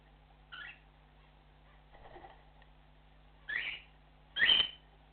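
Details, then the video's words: Cockatiel giving flock calls: scattered short harsh rising chirps, the last two loudest and closest together, with faint chatter between them and a steady low hum underneath. "Cockatiel flock call"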